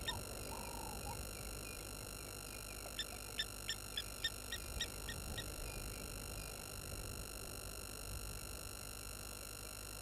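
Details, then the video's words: Water Thick-knees at Gowrie dam waterhole, Djuma Game Reserve, Sabi Sand, South Africa, upset by an approaching baboon at 16:50, give a brief run of about eight sharp, high piping notes, roughly three per second, over electrical whine and low rumble. "Water Thick-knees upset with Baboon getting close"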